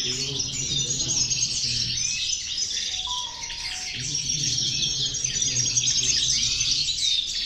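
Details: Female European goldfinches in a group singing together, used to motivate other goldfinches: a dense, continuous high twittering chorus of rapid chirps and trills, with a low hum underneath.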